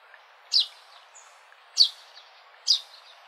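A sparrow gives three sharp, high chirps about a second apart, each a quick bright note, over a faint steady hiss.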